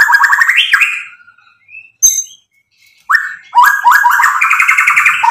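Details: White-rumped shama song played as a lure to stir other birds to answer: fast trilled whistled phrases, a short gap with a single sharp note, then a rapid, loud run of repeated descending whistles.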